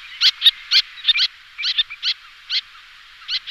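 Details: Little tern calls used as a lure: irregular, scratchy high kik and kee notes, some in quick pairs, separated by brief gaps, with a faint background hiss.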